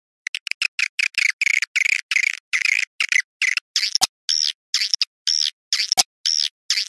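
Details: Swiftlet calls in the 'Awan hitam' style: rapid, chattering bursts of high, buzzy chirps, some rising and falling in arcs, separated by short gaps, with two sharp clicks near the middle.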